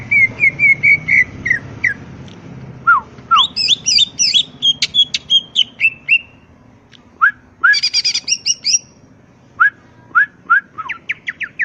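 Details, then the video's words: Greater green leafbird singing "gacor", a varied medley of quick chirps, slurred whistles, upward-swept notes and a dense buzzy burst, phrases broken by short gaps, with a faint low background hum. "cucak ijo gacor"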